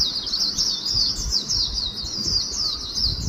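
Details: Swinhoe's white-eye pouring out a rapid, continuous high-pitched warbling song of wavering, tumbling notes without pause, loud and clear over faint low noise.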